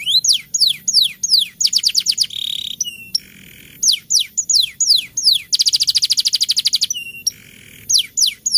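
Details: Canary rolling song as a lure for birds that stay silent in the rainy season: paired falling whistles, short trills, buzzy sections and a long even fast trill.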